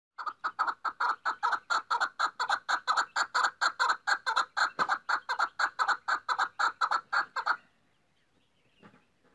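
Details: Female chukar partridge uttering a long rapid series of harsh clucks, roughly two per second, which stops abruptly, followed by quiet.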